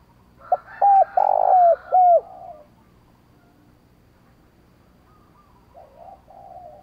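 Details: Spotted dove cooing in the 'sát bổi' calling style, used to train decoy birds to coo quickly: a burst of four loud, hoarse, clipped coo notes at mid pitch, then a quiet gap and a softer distant coo answering.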